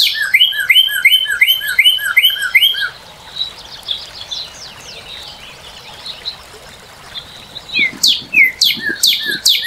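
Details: Northern cardinal: a quick, regular run of paired slurred whistles for about three seconds, a quiet stretch with soft notes, then a loud burst of sweeping notes near the end.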